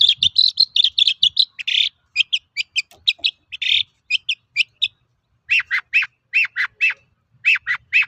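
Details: Long-tailed shrike singing energetically (gacor), used as a lure to prompt untrained shrikes to sing. Rapid bursts of short, high chirpy notes, then after a brief pause a run of lower, down-slurred notes repeated in quick succession.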